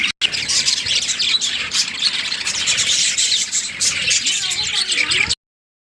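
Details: Steady high scratchy warbling and chirping from budgerigars, a breeding pair of Australian parrots, with a few short whistled notes near the end before the sound cuts off.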